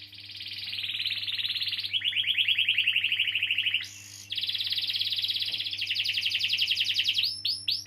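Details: Long-rolling canary song aimed at getting other canaries to sing: an unbroken high trill dropping to a lower roll, a short harsh note, then rapid bright trills ending in upslurred sweeps; quiet background hum.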